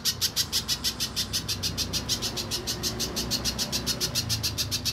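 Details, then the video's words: Spiderhunter song used as a lure to prompt untamed birds to sing: a long, steady run of sharp, high chip notes, about three per second, with a low rumbling hum underneath. "Pancingan Pijantung Pisang Agar Bunyi"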